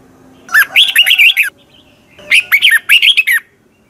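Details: Red-whiskered bulbul in Thailand, fast fiery training song: two closely spaced phrases of about a second each, each a string of six or seven sweet, rolling whistled notes that swoop up and down.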